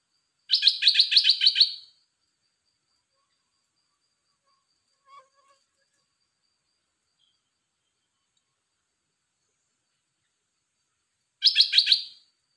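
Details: Red-whiskered bulbul kept in a cage, singing two bursts of rapid, evenly repeated bright notes about ten seconds apart, each lasting roughly one and a half seconds, with near silence between.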